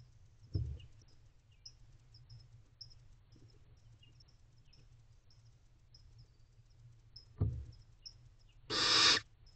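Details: Barn owl owlets in a nest box on 28 April 2023 at 5:29 am, one tall owlet bending over its siblings: one loud, rough, hissing burst near the end, after two low thumps, with faint high ticking throughout.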